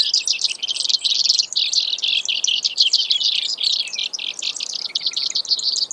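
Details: Steady, rapid high trills from a Brewer's sparrow, pulsing chips repeated many times a second with small changes in speed and pitch, running throughout.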